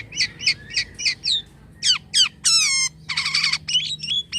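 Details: Jalak kapas starling in active, unusual song: a run of short repeated chirps, then harsh downward-swept squawks and a raspy buzzing burst, each phrase separated by brief pauses.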